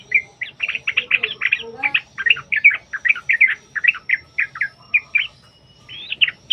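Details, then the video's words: Yellow-vented bulbul lure song in long-trill fighting style, meant to make bulbuls answer; dense, continuous bubbling chatter of warbled slurred notes, almost without break throughout. "TRUCUKAN TARUNG ROPEL PANJANG | Pancingan Trucukan agar bunyi jadikan Burung Trucuk Gacor EMOSI"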